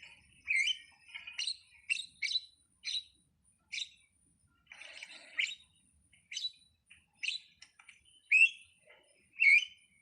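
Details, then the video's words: Starling (jalak) singing a varied string of short chirps and whistled notes, most high-pitched, in irregular bursts about once a second with quiet gaps between them. "suwara //burung jalak//"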